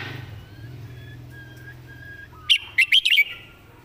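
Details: Red-whiskered bulbul, a song-teaching bird praised for clear, well-phrased song. A low hum and faint distant whistles come first, then a sudden run of five or six loud, bright, rollicking notes near the end.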